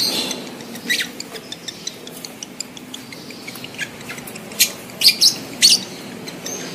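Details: Lovebird in breeding condition giving a mating call: a long run of faint, rapid high ticks, then three loud, shrill, squeaky bursts close together near the end.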